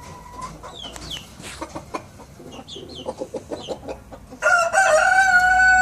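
A young Collonca rooster gives quiet clucks and soft peeps. Then a sudden loud, hoarse, sustained crow bursts in near the end, rough and strained like an early attempt.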